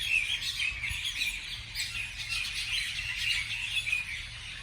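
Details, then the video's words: Birds calling in the morning, quick high chirps and a few squawky notes overlapping in a busy chorus, backed by a low droning hum. "美丽的早上美丽的鸟的鸣叫beautiful morning beautiful birds chirping sounds calls"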